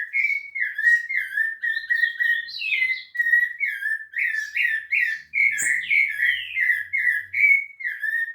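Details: Rufous-bellied thrush singing at Piedade: loud, fluty whistles in rapid rolling phrases, several sliding downward, accompanied by high, thin chirps and twitters from other birds nearby.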